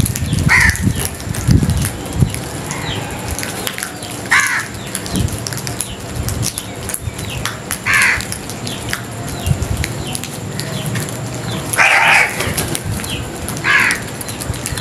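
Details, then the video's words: Crows calling loudly, with harsh caws spaced several seconds apart over a steady noisy outdoor background that includes scattered clicks and rustling. "Crows loud crowing Sounds | Kuaway ki Awaz"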